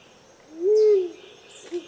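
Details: Rose-crowned fruit dove in Australia gives a single low, hollow coo that swells slightly in pitch and fades, followed by a faint short note; steady insect trilling runs underneath.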